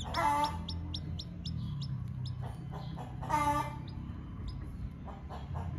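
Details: Hungry chick calling for its mother: rapid high, downslurred peeps repeated several times a second, broken by two louder, lower, harmonic calls from an adult chicken and soft clucking.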